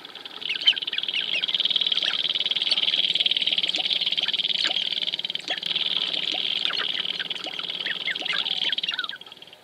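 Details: Sharp-tailed grouse dancing at Wainwright, Alberta, 2015: a steady rattling, high-pitched buzz carries through, with frequent brief downslurred chips and clicks on top.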